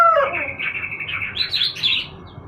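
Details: Yellow-vented bulbul set out for sunning in the morning: a slurred falling note opens, then a run of bubbly, warbled phrases climbing higher and breaking into quick rolling notes, with a low background hum.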